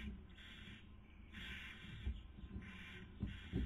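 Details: Barn owl pair, Cabañeros National Park, Spain, 2020 breeding season, female feeding and male trying to sleep; long noisy hisses alternate with short ones, joined by clattering taps toward the close.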